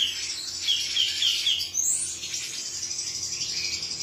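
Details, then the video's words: Singing male cucak cungkok giving quick high twittering notes, a few sharp downslurred chirps, then a dense run of trilled chatter over a low background hum. "suara jantan burung cucak cungkok"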